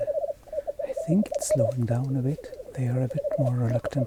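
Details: Black grouse at a lekking site in Sweden during the lek season, with wind picking up, keep up a steady, rolling, bubbling coo throughout, many birds blending together, while a man speaks over them in the foreground.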